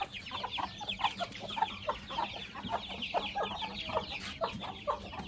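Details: White aseel heera hens brooding in a handmade wheat nest as golden buff eggs hatch naturally; rapid high peeps from chicks mixed with lower repeated clucks, steady low background rumble.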